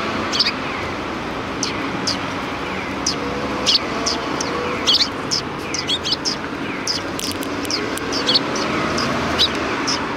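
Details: A flock of sparrows welcomes a person at the back entrance of a Tenmangu shrine on 25 February 2020. Short, sharp, high chirps overlap steadily from several birds, over a low rumble of traffic.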